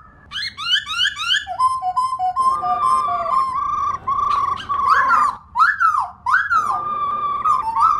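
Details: Female black laughingthrush used to rouse pet laughingthrushes into song: quick rising whistled notes at the start, then long level rolling churr interrupted by loud arching upslurred whistles near the end.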